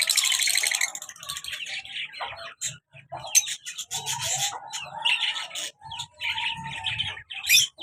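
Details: Active pet lovebirds, a colour male and a black mask female, keeping up a continuous shrill chatter of scratchy squeaks and chirps, with a harsher burst at the start.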